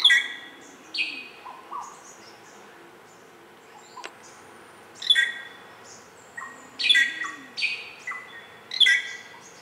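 Greater racket-tailed drongo giving loud, varied metallic calls and ringing notes in irregular bursts every second or two, with a sharp click among them.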